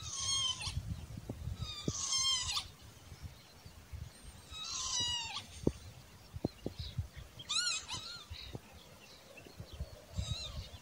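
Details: A spur-winged lapwing repeats strident, metallic call notes, about five bursts over ten seconds, some slurred and drawn out, others short and sharp, amid quiet rustling and sporadic low clicks.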